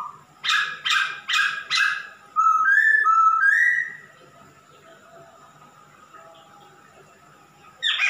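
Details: Male masked laughingthrush, singing actively, utters four harsh, raspy notes about every half second, then a loud whistled phrase alternating lower and higher notes before a pause and another harsh note.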